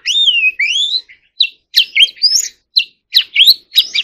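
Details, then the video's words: Song of a White-rumped shama opening with two long downslurred whistles, then a string of short sharp chips and upswept notes spaced irregularly. "choè than hót líu || Kacer Gacor"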